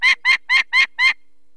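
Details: Alarm from a female peregrine falcon at her Barycz Valley nest in Poland, 2 May 2023, disturbed by people removing one chick: five rough, buzzy kek notes in quick succession, then silence.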